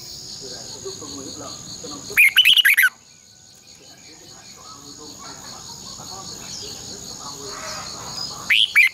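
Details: Caged red-whiskered bulbul decoy song for morning training, long twisted double voice: a rapid cluster of bright, looping whistles, a long quiet gap, then another phrase starting at the end, with a constant high hum.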